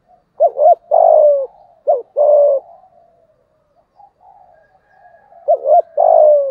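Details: Spotted dove cooing in 'giọng thổ' voice to provoke rival males: three phrases of a brief doubled note plus a sustained low coo, with a quiet stretch of faint cooing between the second and third.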